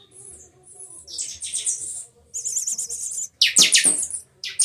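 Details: Chanchão matildas song of a Buffy-fronted seedeater (pixoxó) from Rio de Janeiro, with viração: thin high whistles, then a fast wavering trill and sharp, loud, descending buzzy notes at the end.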